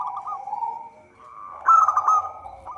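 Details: Local zebra dove song, used as a trapping lure: a soft rolling cooing trill, a brief lull, then a loud stuttered burst of trilled notes; steady faint hum in the background.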